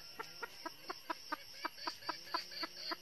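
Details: Wild junglefowl trapping with a decoy hen of the northern red-eared type. The hen gives evenly spaced clucks, roughly four per second, over a buzzing insect backdrop.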